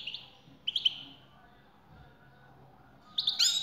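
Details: European goldfinch male singing toward a female's call, with brief high chirps early, a pause, then a denser buzzy twittering burst at the close.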